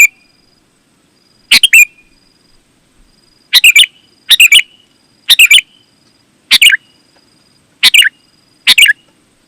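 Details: Sooty-headed bulbul singing busily, used as a call to attract other bulbuls; an opening phrase, a two-second pause, then six short chirped phrases in quick succession, each a cluster of bright notes, with a quiet backdrop.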